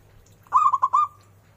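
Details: Local zebra dove in lively song with a loud, ornamented voice: a short phrase of three or four quick rolling coo notes, the last one stretched and fading, with a low steady hum beneath.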